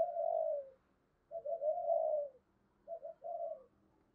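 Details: Spotted dove used as a decoy to provoke fighting, recorded quietly with a low background hum. Smooth, sustained coos are followed by a shorter pair of coo notes.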